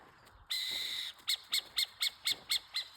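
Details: Burrowing owl at its burrow with chicks inside, in the Cariri region: one long harsh screech of about half a second, then a series of seven short sharp high chips roughly every quarter second.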